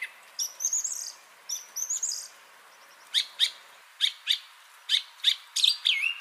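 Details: Song thrush (Turdus philomelos) song recorded 30 January 2021: a high, rapid twittering phrase given twice, then sharp, clear notes in repeated pairs, each phrase repeated.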